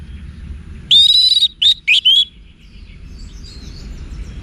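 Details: Orange-headed thrush song for cage-bird training, Singaraja, northern Bali: a long level whistle followed by three short rich whistled notes, then faint distant calls.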